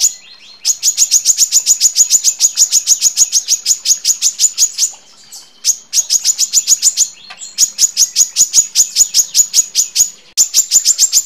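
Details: Female brown-throated sunbird calling to males. Long runs of sharp, high, clipped chips repeated rapidly, about twenty per run, with brief pauses near five and ten seconds before resuming.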